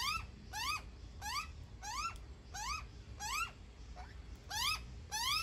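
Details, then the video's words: Baby magpie begging as its mother feeds it: rising, nasal, ringing squeals, about eight in five seconds at a steady pace, over a low steady background rumble. "Mamma Magpie feeding a baby Magpie"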